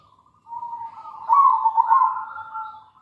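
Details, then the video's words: Local zebra dove used as a lure bird: a soft low coo, steady at first, then rising into a louder wavering, rolling phrase that fades out, on a quiet background. "PANCINGAN PALING AMPUH PERKUTUT LOKAL GACOR"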